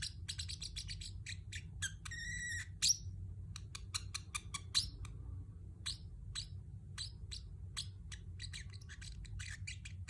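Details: Pet Pacific parrot giving scattered short, high chirps and a brief rattling buzz near the start, with quiet gaps between notes and a faint steady hum beneath.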